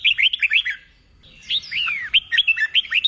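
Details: Red-whiskered bulbul used for contest song training: a fast string of bright chirping whistles, a pause, then a long falling slurred whistle followed by more quick warbled notes.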